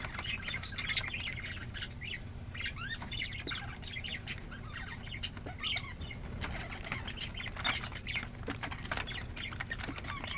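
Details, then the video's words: Pet budgerigars, described as happy and healthy, chatter in a dense flock: many short warbling chirps and rapid twitters overlap continuously, with sharp clicks and wing flutters mixed through. "Happy Healthy budgies"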